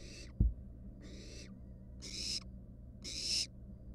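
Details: Barn owl nestlings in a wild nest box, resting on a mouse. A single sharp knock comes first, then four breathy, rasping hisses about a second apart, the later ones stronger.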